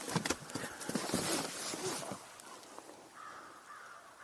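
An American crow gives harsh, raspy caws in quick bursts, then a drawn-out nasal note near the end, over outdoor background noise.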